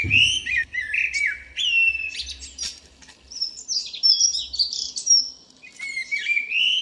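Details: A local common blackbird gives its morning song on 2 April 2013, a continuous run of mellow, fluty phrases breaking into thin, squeaky high twitters over a faint low rumble.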